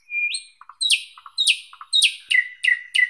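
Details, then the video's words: Thrush nightingale singing: a whistled rising note followed by loud, evenly repeated sharp downward-sweeping notes, roughly five in three seconds, each paired with a soft low double click. "Как поёт Соловей обыкновенный (Luscinia luscinia)"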